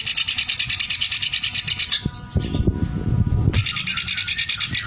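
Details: Sewing-machine imitation sung by a caged greater green leafbird in vigorous song: rapid regular high rattling chatter, a short pause with a thin whistle over low background noise, then the rattle resumes steadily.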